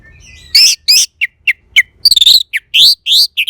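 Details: Orange-headed thrush song: a dense run of loud, high, buzzy notes and sharp downslurred chirps, some given in quick stuttering clusters, with short pauses between phrases.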